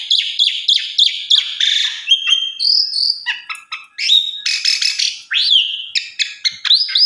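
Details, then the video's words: An Asian pied starling (jalak suren), recorded as master song for training other starlings, sings a fast, varied medley of clear rising whistles, harsh chattering bursts and buzzy notes without pause. "Pancingan Suara Burung Jalak Suren"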